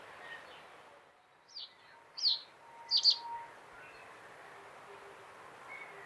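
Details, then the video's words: Common reed bunting giving three short, high, falling notes, the final one a brief double, spaced about 0.7 seconds apart over faint steady background hiss. "Как поёт Тростниковая овсянка (Emberiza schoeniclus)"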